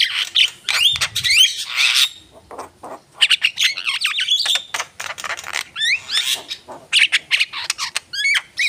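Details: Long Javan myna song sequence of varied chatter: quick rising and falling whistles, warbled slurs, harsh squawks and clicks, tumbling together with only short breaks.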